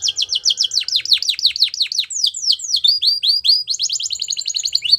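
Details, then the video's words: Canary singing to train young canaries: a rapid series of high notes sweeping downward, shifting into quicker rising chirps and a fast final trill, bright and continuous. "Canary Singing"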